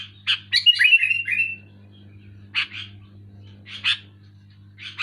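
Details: Loud, clear Sooty-headed bulbul song: a quick bubbling phrase ending in a drawn-out descending slur, followed by sparse paired chirps, with a steady low hum behind.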